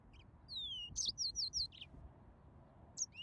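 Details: Yellow-fronted canary: a long thin downslurred whistle leads into a quick series of bright repeated chirps. A pause follows, then one more high note and a rising whistle over a soft background hum.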